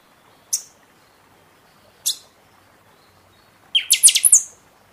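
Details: Buffy-fronted seedeater in captivity singing in season to spur birds after their moult; two sharp, very high isolated notes precede a fast burst of shrill, stuttering whistles ending in a high thin trill.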